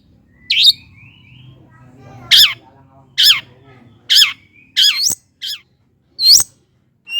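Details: A cendet, or long-tailed shrike, calling as a lure to rouse lazy birds: scratchy, squawky notes sliding downward, given singly at irregular intervals of about a second.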